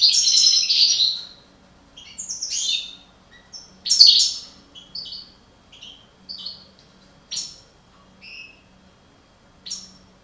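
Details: European goldfinch of the parva subspecies, one of a breeding pair, giving a rapid, bright twittering song of high tinkling notes and buzzy trills in bursts of about one second, then shorter scattered chirps. A faint low hum underneath.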